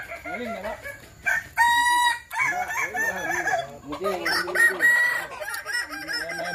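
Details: Kukuak Balenggek chicken crowing during a practice contest in Sawah Lunto. It gives a stepped chain of arched, repeated syllables over music, with applause and laughter from the crowd.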